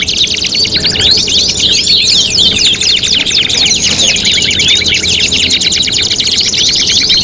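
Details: A canary's tutoring song for contest birds: unbroken, high, rapid rolling trills that change speed and texture from phrase to phrase, loud and continuous throughout.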